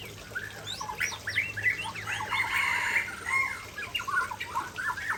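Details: Aceh white-rumped shama singing vigorously near a waterfall: a dense, fast run of varied whistles, chirps and harsh squawky notes, with short rising and falling phrases packed closely together.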